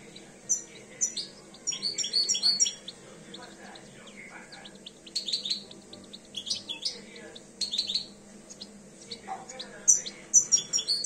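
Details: European goldfinch, two years old, beginning to come into breeding condition: a lively, jumbled song of high tinkling twitters, slurred notes and rapid chirps in bursts separated by short pauses, over low background hum.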